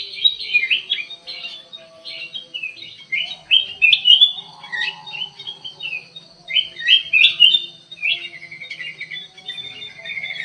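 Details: Black-crested bulbul in an aviary giving bubbly, rapid whistled phrases in bursts, with a faint tonal hum and other soft chirps in the background.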